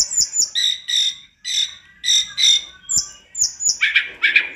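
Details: Sunda robin (tledekan gunung) singing energetically on a master recording meant to train other birds: rhythmic series of high doubled notes roughly twice a second, ending in harsher buzzy chatter.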